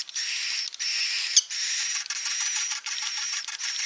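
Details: Swiftlets' call played to draw them in to roost, heard as an almost unbroken, dense buzzy twittering with slight wavering in loudness and one sharper chirp near the middle.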